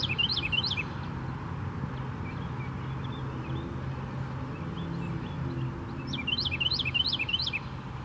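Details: A Carolina wren (Thryothorus ludovicianus) at Tattnall Square Park on 1 January 2016 gives two bursts of loud, rapid, repeated whistled phrases, separated by a pause with faint notes, over a steady low rumble of traffic.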